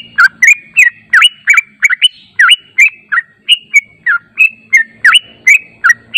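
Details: Yellow-vented bulbul lure song meant to make birds answer: quick, bubbly chirps, each a short slurred whistle dipping or rising, about three per second in an uneven run, with a faint low hum underneath.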